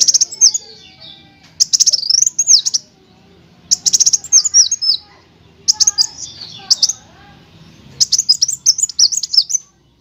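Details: Tutor song of a sunbird in chattering and 'shooting' styles: five separate bursts of rapid high chips and twisting whistles, each about a second long, with quiet gaps between.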